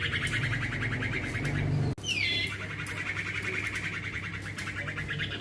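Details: Juvenile male common iora (cipoh, sirtu) used as a lure bird, giving fast pulsed trills before and after an abrupt cut, one opening with a descending whistled sweep, against a noisy low rumbling background.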